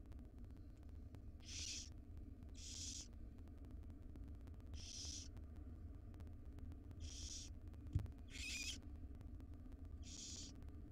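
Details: Repeated rasping snore-hisses from wild barn owl nestlings, five siblings awaiting breakfast from their mother in a nest box; six bursts roughly every one to two seconds, one sharp knock midway, steady low hum throughout.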